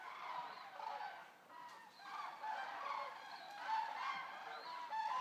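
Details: About 200 common cranes resting at a stork centre in Racconigi, Italy, produce a steady wash of overlapping honking, trumpet-like calls, rising and falling in loudness.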